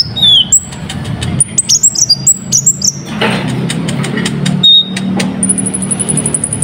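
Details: Sunbird song used as a lure to get other birds singing: a burst of high sliding chirps and twitters, then sparse single high notes and a quick buzzy trill near the end, over low background rumble.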